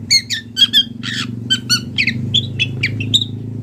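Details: Long-tailed shrike in the wild, singing hard with imitations. Squeaky, scratchy notes run in quick succession, some with a whistled tone, over a noticeable steady low hum.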